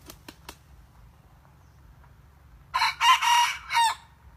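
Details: Practising decoy red junglefowl: three faint clicks, a quiet pause, then a rough, raspy crow in three joined bursts, the middle one loudest, with a steady low hum underneath.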